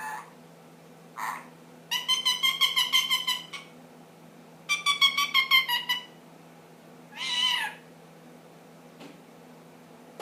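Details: Pet ring-necked parakeet, ten months old, making funny noises indoors: two long bursts of fast pulsed nasal chatter separated by short squawks, with a harsh squeal near the end.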